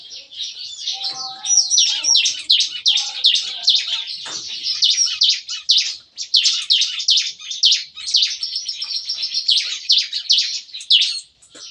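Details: Lively 'shooting' chorus of bar-winged prinias kept in an aviary cage, recorded in the morning: long, crowded bursts of piercing high chirps and twitters, barely pausing, with faint lower tonal notes early on.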